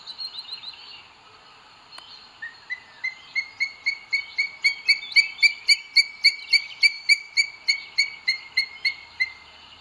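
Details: At a Spanish nest in Sierra de Guadarrama National Park, 2 June 2022, a male booted eagle arrives with food for the female. Soft notes lead into a long, accelerating run of loud, piercing whistles, roughly four a second, slightly slurred.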